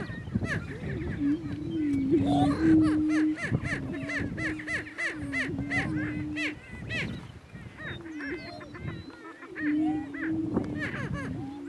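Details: Two male greater prairie chickens battling for dominance on a lek in northeast Kansas: a steady low hooting drone runs underneath while sharp, whooping cackles and yelps rise and fall in rapid bursts.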